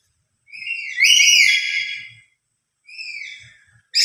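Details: A lory's loud call, given when emotional: a bright, whistle-like screech with stacked harmonics that swells and fades over about two seconds, then a shorter, softer repeat.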